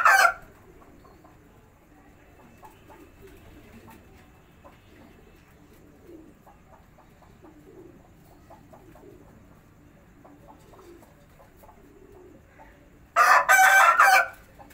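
A pigeon gives soft, low repeated coos, then a loud, harsh, crow-like burst resembling a bantam rooster.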